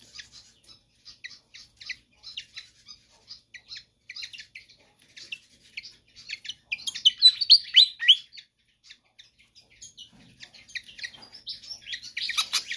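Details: Pied fantail, persistent and energetic singer used to tutor or lure other birds, gives steady soft high ticking phrases, then a louder tumbling burst of sharp chirps, quieter ticks, and another dense squeaky outburst near the end.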